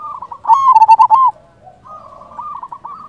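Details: Local zebra dove, actively calling, used to provoke replies from other doves. One loud burst of roughly seven fast, rolling coos is followed by a quieter run of coos, as if from farther away.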